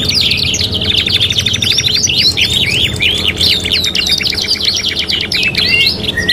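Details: Canary (kenari) training song: unbroken high trills of rapidly repeated notes mixed with slurred whistles, a busy, chattering warble that keeps going for the whole stretch.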